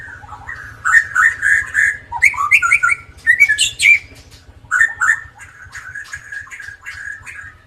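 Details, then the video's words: Lively Indonesian white-rumped shama with a drooping tail, singing as a lure for birds that rarely sing: fluty whistled phrases mixed with sharp high chatters, delivered in quick bursts with brief pauses and faint low background rumble. "MURAI BATU EKOR KLEWER GACOR COCOK BUAT PANCINGAN BURUNG YANG JARANG BUNYI"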